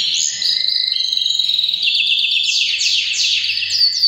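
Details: A canary sings strongly in the breeding season, beginning with a rapid pulsed trill, then sliding into higher rolling tours and ending with quick upward-sweeping whistled notes.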